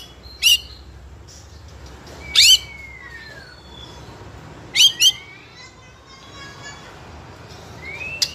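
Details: Young spotted white-rumped shama, a fighter type singing openly, used as a lure to provoke other young shamas into singing; a few sparse, sharp whistled notes and short upslurs spaced seconds apart over low background hiss.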